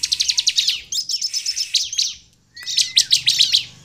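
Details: Bar-winged prinia singing as a lure for other prinias: a rapid high rattle of evenly spaced notes, a brief pause, then another fast trill of repeated bright chips.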